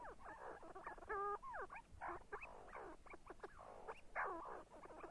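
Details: Overlapping see-see partridge calls: flat, ringing whistled notes mixed with swooping slurred whistles and busy chatter in irregular bursts.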